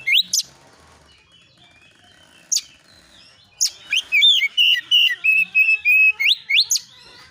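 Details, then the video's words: Lure song of a kacer, or oriental magpie-robin, in the 'nembak isian' style for provoking answers: a few isolated sharp upward sweeps, then a fast sequence of buzzy, warbled whistles about three per second. "KACER AUTO NYAUT EMOSI KONSLET masteran burung kacer nembak isian"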